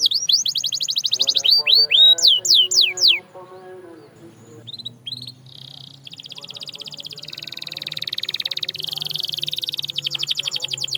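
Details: Canary song played to stimulate silent canaries to sing: fast trills and steeply falling high whistled notes at the start, a quieter stretch, then a dense buzzy high rattle, over a faint low hum.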